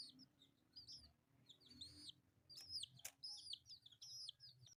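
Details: Four colourful pet chicks call with sparse, high peeps at first, then a louder run of arched chirps after a sharp click. Soft low rustling from movement fills the background throughout.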